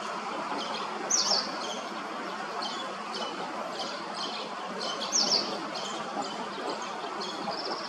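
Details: Late brood of common linnets with the male still feeding full-sized fledglings, under a bridge in Hrodna, western Belarus, 12 September 2025; soft high chirps, with two louder squeaky notes, over a steady rushing background.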